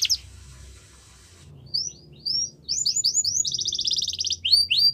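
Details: Yorkshire canary song for training young canaries, starting with faint hiss, then scattered rising whistles and a short rapid trill.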